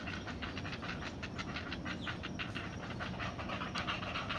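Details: Great blue heron chicks on the nest, crouching as they anticipate their mother's arrival with breakfast: rapid, breathy, rhythmic pulses, roughly eight to ten each second, held steadily throughout over faint background hiss.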